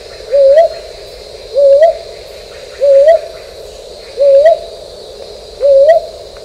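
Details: Brown boobook calling with clear, mellow rising hoots, five spaced about every 1.3 seconds, over a steady background hum.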